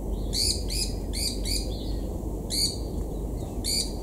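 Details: At Imvubu Lodge, KwaZulu-Natal, South Africa, July 2019, White-eared Barbets mob and chase a Black-collared Barbet; grating, buzzy notes in short clusters of two to four, separated by brief pauses, over low background rumble.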